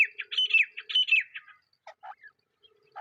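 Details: Wild partridge (teetar) calling in jungle, early morning or evening; rapid run of harsh, scratchy chirping notes with short slurred whistles, then a pause and a few scattered lower squawks.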